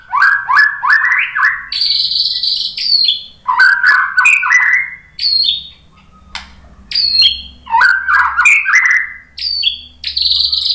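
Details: White-rumped shama song used to draw other shamas into singing: fast rising whistled notes in quick series, rich warbles and buzzy high phrases, delivered in loud bursts with brief pauses.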